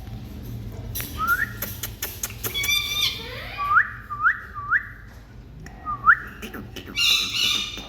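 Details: Pet Indian parrot in India showing love to its owner: a series of short rising, slurred whistled notes, four in quick succession near the middle, over soft clicks and low room hum.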